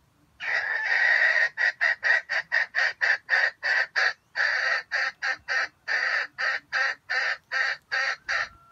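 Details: Red junglefowl kept as bait in a trap gives a stuttering, grinding crow: one long harsh opening note, then about twenty short choppy bursts in an even, rapid series over eight seconds.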